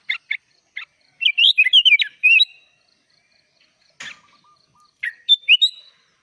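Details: Energetic 'gacor full isian' song of a sooty-headed bulbul, suited to training young birds: a few clipped chirps lead into a rapid, fluty, twisting phrase. After a pause and a faint click, short rising whistles follow.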